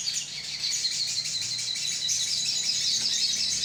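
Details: Lure sound of a crimson sunbird colony: unbroken, shrill, rapidly pulsing twitter from several birds at once.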